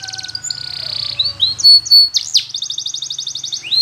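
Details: Spanish Timbrado canary training song, with a sustained fluttering trill, a couple of loud sharp rising-and-falling whistles, then a fast steady trill. A faint low hum runs underneath.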